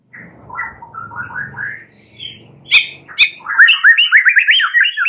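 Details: White-rumped shama singing at night as a lure to stimulate other birds to sing; soft whistled notes rising in steps, then a louder burst of sharp clicks and quick varied chirping phrases, faint low hum beneath.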